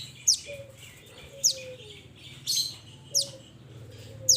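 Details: High, steeply falling chirps roughly every second from a mountain mantenan (Pied Bushchat) calling its companions, with low, level whistles of a second bird in the background.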